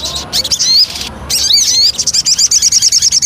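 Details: Javan cochoa lure song: rapid, high chattering notes with quick up-slurred whistles, then a fast run of repeated buzzy notes near the end.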